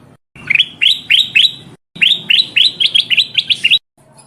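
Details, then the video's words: Black-crested bulbul call used as a lure for trapping birds, described as a female calling a male: rapid series of sharp, upswept chirps, about two groups of four to six notes separated by a brief silence. "Suara burung kutilang emas pikat"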